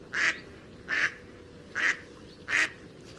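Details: Four loud, raspy quacks from a pond duck, each broad and buzzy, spaced about 0.8 seconds apart.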